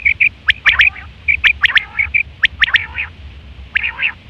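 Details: Quail calls recorded in September 2023, a call used for hunting and for mating: quick bursts of sharp high chirps and short nasal harmonic notes, clustered irregularly, with low rumbling noise beneath.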